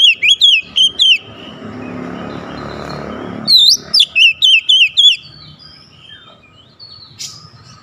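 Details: Oriental magpie-robin, in a contest with a rival, giving two bursts of rapid, repeated looping whistles with a noisy pause between them, followed by a thin, soft whistle near the end.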